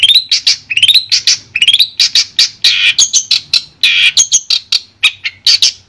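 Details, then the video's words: Madura long-tailed shrike, clear tutor recording: a lively, continuous medley of rising whistled slurs, scratchy bursts and sharp high chips packed closely together, loud and varied throughout. "Suara Jernih Masteran Burung Cendet Madura"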